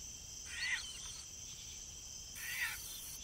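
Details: Flying Caspian tern giving two separate hoarse, rasping calls about two seconds apart, each short and rough, over a steady shrill background drone.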